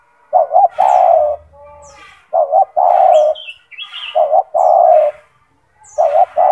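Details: Tekukur (spotted dove) with a big, loud, hard voice, a gacor bird used for training other doves, coos steadily: four phrases of a short double note and long resonant coo, each about every 1.7 seconds, amid sharp high chirps of other birds.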